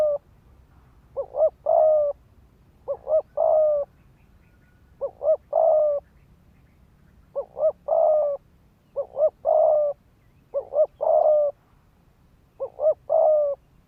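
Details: A decoy spotted dove coos in the fast 'thúc gù' style meant to stir rival males into fighting. About eight phrases, roughly every two seconds, each two brief clipped notes leading into a drawn-out mellow coo, against quiet background hum.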